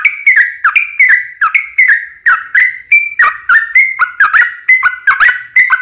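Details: Long rolling fighting song of a yellow-vented bulbul, used to make other bulbuls answer: continuous sequence of quick liquid whistles, alternating higher and lower notes, about three each second.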